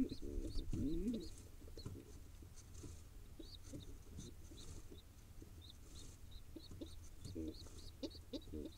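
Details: Wild pigeon nestling in Israel begging while its father feeds it: a brief burst of harsh, harmonic squealing calls early on, then soft low taps and rustles, with thin, repeated rising chirps from other birds in the background.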